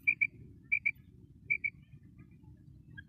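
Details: Female common quail giving bright, high double notes in three spaced pairs, followed by quiet, low background hum.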